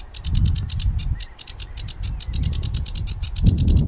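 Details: A sedge warbler sings in June, a fast, scratchy chatter of dry, repeated notes, about eight a second, over a steady low rumble of wind.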